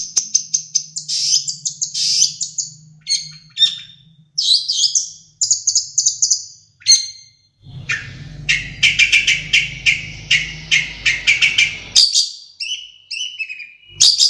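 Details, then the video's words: Long-tailed shrike from Madura singing with sparrow and Java sparrow imitations: long runs of high twittering and chattering phrases, varied bursts and trills, with a low hum and rushing noise partway through. "Suara Burung Cendet Madura Gacor variasi Gereja gelatik wingko"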